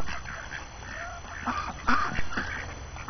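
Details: Chattering ducks, hungry and sick of being cooped up on a January morning with fresh snow, make quick nasal quacks about three per second, with a sharper honking call near the two-second mark, over low rumble.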